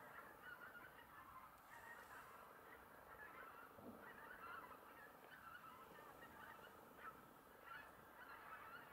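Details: A flock of common cranes at Ljubljana Marsh, Slovenia, on 31 December 2021 gives a steady chorus of overlapping, rolling trumpet-like calls, many birds calling together without pause, with no other clear sounds.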